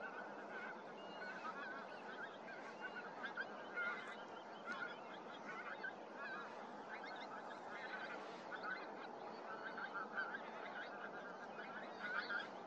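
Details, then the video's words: A dense flock of pink-footed geese (Anser brachyrhynchus) in 2023 calling without pause, a continuous overlapping chorus of high, yelping honks and wink-wink notes. "KORTNEBBGÅS ( ANSER BRACHYRHYNCHUS)"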